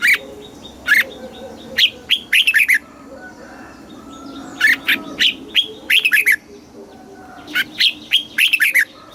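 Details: Caged red-whiskered bulbul singing southern master-style phrases, used to excite other caged birds and train young ones; three bursts of rapid, bright, clipped notes, each burst of five to seven notes, separated by brief pauses, with a low background hum.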